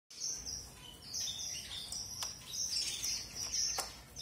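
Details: Red avadavat, also called strawberry finch, giving a high, thin song of sustained whistled notes and short chirps, with sharp clicks and a steady faint hum behind.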